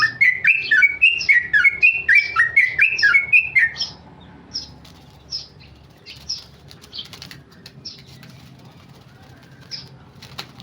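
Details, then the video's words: Tame male sooty-headed bulbul, a kept songbird, delivering rapid 'ropel' style song: about four seconds of quick, bubbly, warbled phrases tumbling up and down, then sparse high chirps and light rustling for the rest. "Trucuk jinak ropel"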